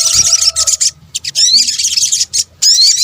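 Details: Sunbird, known locally in Indonesia as sogok ontong, used as a lure sound. Bursts of high, hissing chatter alternate with short gaps, with thin upslurred whistles and a faint low hum.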